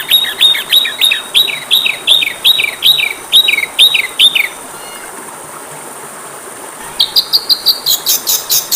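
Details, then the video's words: Kacer (Oriental magpie-robin) training song: about a dozen bright, downslurred whistled notes repeated steadily for five seconds, a two-second pause, then a quick run of high, sharp, rising notes. "MASTERAN KACER PALING DI CARI, masteran Kacer suara burung kecil yang sedang tren di tahun ini"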